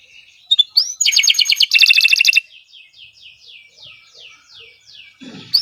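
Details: Kenari Nusantara canary in sustained gacor song for training other birds: dense rapid buzzy trills and chattering rattles, then a long series of fast, evenly repeated descending high-pitched notes, closing with a rising squeak.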